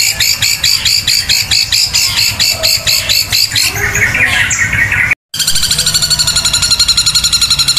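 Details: Long-tailed shrike singing in the 'tembakan kuntilanak' style, a long, loud burst delivered with the beak wide open: rapid series of sharp high chirps repeated several times a second, briefly broken, then resuming as a fast even rattle.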